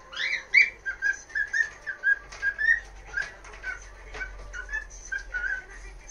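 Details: Pet cockatiel at home in its daily early-afternoon outburst around 1 pm, the excitable "kikiki" calling nicknamed "heavy metal": a rapid series of short, harsh, chirping notes repeated in bursts, loudest at the start, then softer notes over a faint low hum.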